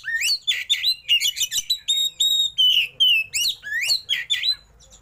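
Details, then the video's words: Oriental magpie-robin giving a dense, nonstop 'roll tembak' song with fancy mimicked fill while fanning its tail: rapid rising slurs alternating with flat clear whistles, about three notes each second. "KACER ISIAN MEWAH❗KACER ROLL TEMBAK BUKA EKOR"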